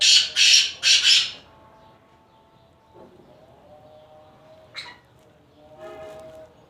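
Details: Black francolin recorded in Khushab: opening burst of four loud, harsh, grating notes in quick succession within about one and a half seconds, then quiet background with faint distant chirps and a brief sharp note.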